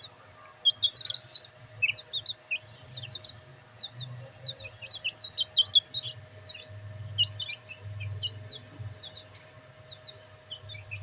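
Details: Several black bantam chicks enjoying the sun chirp steadily with thin, high peeps, single and in quick pairs, throughout, with a soft low rumble in the background.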